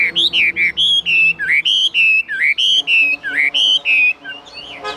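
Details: Caged, tame Chinese hwamei singing: loud, clear whistled notes, each bending up or down, delivered in a quick run of about three per second with short gaps between them. A faint low hum sits underneath.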